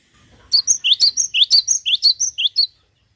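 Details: Cinereous tit in lively song: about a dozen sharp, high chirped notes delivered rapidly and fairly evenly over two seconds, each a quick upward-flicking twitter, with a little faint low-pitched background noise.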